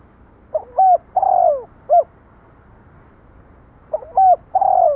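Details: Repeated spotted dove coos: a complete four-part phrase with a soft pickup note, a looping double coo, a long falling coo and a short tail note. A second phrase begins about three seconds later, over low steady hiss.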